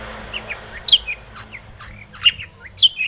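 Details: Long-tailed shrike song used to provoke rival shrikes into singing: sparse harsh, squeaky notes and short slurred chirps, a few louder accents, with a faint low hum beneath.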